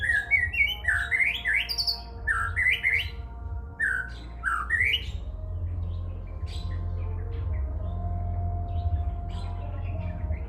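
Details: White-rumped shama singing learned cililin material: rapid bursts of rising, upslurred whistles and sharp chips for about five seconds, then quieter scattered notes, all over a constant low hum and background noise.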